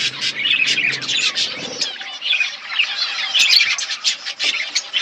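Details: Budgerigars chirping in a colony setup: rapid overlapping high chirps and warbled chatter throughout, with a faint low hum early on.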